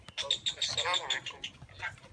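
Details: Common myna, one of the new and old birds in a talking contest, giving a dense burst of high squeaky, rattling chatter that repeats in quick pulses, then fades into softer scratchy notes.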